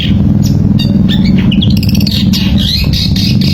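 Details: Long-tailed shrike singing in the semi style, used as a lure to get reluctant shrikes to sing: quick, squawky, chattering phrases with sharp rising and falling whistled slurs, set against a loud, steady low droning hum.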